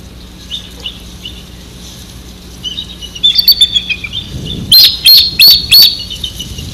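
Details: A bald eagle calling its mate along the Maurice River gives thin, squeaky piping notes that build into four loud, shrill, chittering whistles about every half second, over a faint low background rumble.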